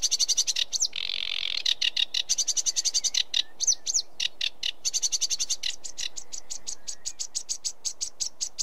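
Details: Sedge warbler singing a long, fast, chattering run of dry repeated notes, with rapid rattling bursts, a brief harsh buzzy section and occasional whistled inflections, shifting tempo throughout.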